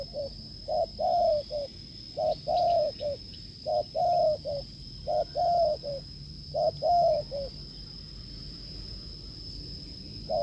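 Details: Wild spotted dove, encountered during a decoy test, cooing strongly. Repeated three-part phrases of low hooting coos, a short note, a long slightly falling note and a short closing note, about every one and a half seconds. A steady high whine persists.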